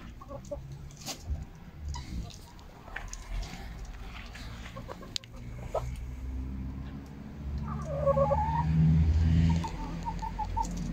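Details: Domestic hens on a Monday, 10 October 2022, when eight eggs were collected; after a stretch of low rumbling background, a quick run of bright, repeated clucking notes rises and falls, then trails off into softer clucks.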